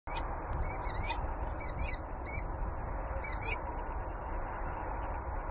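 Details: A peregrine falcon in Warsaw gives harsh, grating calls in short bursts, three or four over five seconds, above a heavy low roar of city noise.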